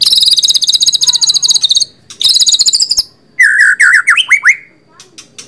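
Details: Rapid high trills from a white-rumped shama, followed by a run of lower, looping whistled notes that rise and fall.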